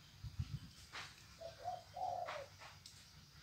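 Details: An escaped Bekisar chicken (green junglefowl male × domestic hen hybrid) gives a brief, shrill crow: two short tonal notes, then a longer, slightly wavering note, with low rumbling and scuffing behind.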